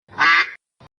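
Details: Duck from a children's English lesson on farm animals: one loud, harsh, nasal quack lasting about half a second, followed by a short, faint second note.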